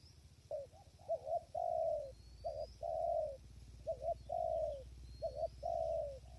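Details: Spotted dove at a decoy trapping site in strong wind, with wild birds far away: steady rhythmic cooing, each phrase a stuttered double note then a drawn-out husky coo falling at the end, repeated about every second, over low rumble.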